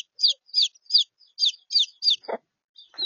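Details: Evenly spaced, sharp falling peeps, roughly three a second, come from young chickens in Australia, three-day-old chicks sharing space with three-week-old chicks abandoned by their mother, followed by a brief lower rasp near the end.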